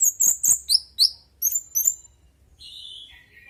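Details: Song of an orange-headed thrush, used as a lure so other birds join in. Several sharp, very high chipping notes are followed by a sustained, slightly buzzy whistle that steps downward.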